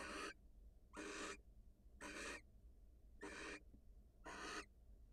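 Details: Wild barn owls, female leaving the nest to greet her mate: a steady series of five harsh, airy rasps, each roughly a third of a second, recurring at about one-second intervals.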